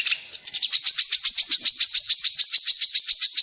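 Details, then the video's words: Grey-cheeked bulbul song played to prompt captive birds to sing and to lure wild ones: a fast, even series of sharp chattering notes, about four per second, held at one high pitch and lasting over three seconds. "PANCINGAN BURUNG KORLAP"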